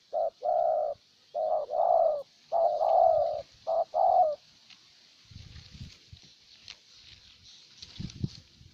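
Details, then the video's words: Decoy spotted dove from Ninh Thuận, Vietnam, luring a wild bird with a run of deep, drawn-out coos over four seconds, then quiet with faint rustling and a steady high hiss. "Cu Gáy Ninh Thuận clip 144 [ Hiệp 2 ] Mồi Siêu Gù thu phục bổi quá tuyệt vời"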